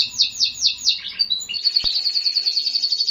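Domestic canary singing a fast, high song: four quick descending sweeps, then a rapid buzzy trill of repeated notes, copying the phrases of other bird species.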